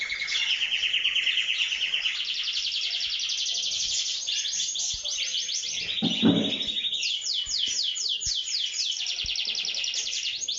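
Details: Canary birds in full song: long, loud, sustained trills change speed and pitch, with a rolling warble, a fast descending series of sweeping notes near the end, and a few faint clicks underneath.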